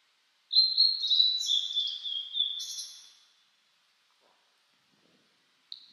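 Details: Blue-and-white flycatcher singing in mountains in spring, on a cloudy 14°C day after rain amid fresh green leaves; one clear whistled phrase of about three seconds, sliding notes with a buzzy ending, then a short note starting again.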